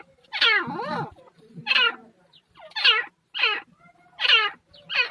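A female grey francolin gives loud, harsh, ringing notes, about one each second, each rising then falling; nothing else is clearly heard.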